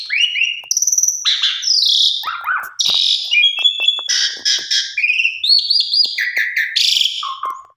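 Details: Pied myna song used as a lure for pied mynas that have stopped singing, a rich varied medley of loud whistles, sliding notes, harsh buzzy rattles and squeaky chirps that change rapidly without pause.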